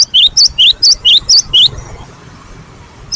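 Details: Great tit song of the gelatik batu type, played to coax other birds into singing. Six bright two-part phrases, each a high note dropping to a lower twisted whistle, repeat rapidly for about a second and a half before quiet hiss.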